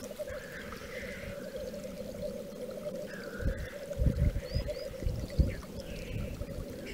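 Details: At a Welsh lek in March 2013, black grouse keep up a continuous throbbing, bubbling chorus. Three or four harsh hissing calls cut in, with a short higher note and rumbling wind bursts partway through.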